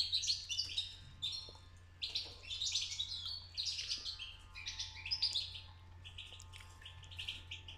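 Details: Young European goldfinch beginning to sing: soft, scratchy twittering phrases of tinkling, buzzy notes in short bursts, recorded quietly over a steady low hum.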